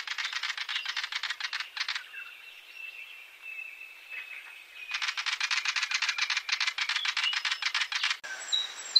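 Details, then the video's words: Willie wagtail giving a dry, rapid rattling chatter of harsh ticking notes, broken by a short pause, then resuming with a steady rattle. "Natural Birds Voice, Bird Natural Sound.Willie Wagtail"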